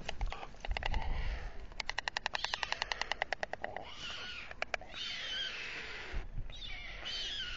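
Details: At dusk on the town hall tower nest in Alcalá de Henares, Spain, a male white stork feeds two chicks. Rapid, machine-gun-like wooden bill clattering for several seconds, followed by wheezy mewing calls.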